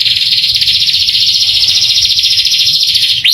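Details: Male canary singing to excite young canaries; an unbroken, very fast buzzy trill held at a steady pitch throughout, ending with a quick upswept note.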